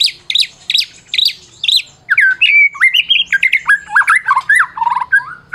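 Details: Champion Medan White-rumped shama, caged, singing as a lure to make mute shamas sing: four repeated high, bouncing phrases open, followed by a run of varied whistled notes that step downward.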